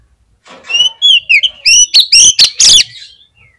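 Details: Singing Oriental magpie-robin in a recording meant to draw song from other magpie-robins: varied whistled phrases building into loud, piercing, rapidly alternating notes with rich overtones, then tailing off into a thin descending whistle.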